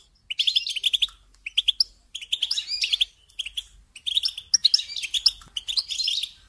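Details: Clean bursts of European goldfinch song used as a singing lesson for young birds: separate phrases of rapid, sparkling chirps and buzzy twitters with brief gaps.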